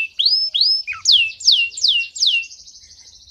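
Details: Male canary singing to excite females and tutor young birds: two rising whistles, then four loud downward-sweeping notes about every 0.4 seconds, fading into a soft buzzy trill.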